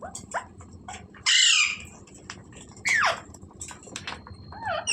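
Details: Parrot giving two loud, harsh, rasping squawks about a second and a half apart, with fainter chirps and clicks between them over a low background hum.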